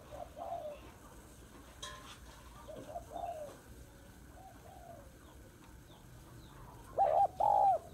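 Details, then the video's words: Hen spotted dove calling to excite males. Scattered soft, husky coos are spread across most of the clip, ending with a loud pair of wavering coo notes. Faint hum and a few clicks sound in the background. "Tiếng Cu Gáy Giọng Hạp BổI ĐỦ BÀI [ GÁY GỌI,THÚC,GÙ ]Kích Bổi Nhanh Nổi"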